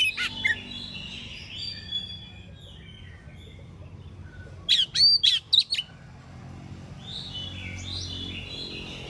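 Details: Morning song of an Oriental magpie-robin, given to make rival magpie-robins answer; a single loud burst of clipped, whistled notes near the middle, surrounded by quieter chirps from other birds.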